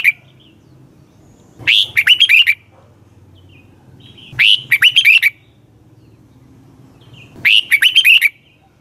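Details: Lure song for training red-whiskered bulbuls, sung in the morning. Three loud, bubbly phrases of quick whistled notes, each about a second long, recurring roughly every three seconds, with a low rumbling background hum.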